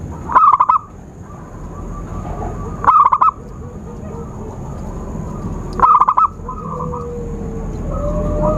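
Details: Zebra dove lure call used for trapping birds: three bursts of rapid, stuttering coos, each under half a second, spaced about three seconds apart, over a steady high hum and low background rumble.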